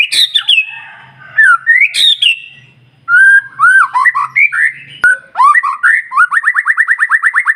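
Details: White-rumped shama song meant to stimulate other shamas to sing: rising whistles and harsh notes, then clear whistled phrases and a fast even trill of repeated chips at the end.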